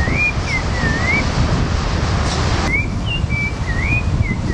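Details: In Brazil, a thrush (sabiá, possibly pale-breasted or rufous-bellied) sings clear, slurred whistled phrases, each rising and falling, given in a loose run over steady low traffic rumble.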